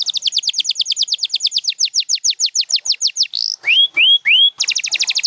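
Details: Singing champion canary, from a selection of Gloster and Spanish Timbrado birds, delivers a long fast series of falling whistled notes, a buzzy slur, three rising drawn-out whistles, then a rapid trill.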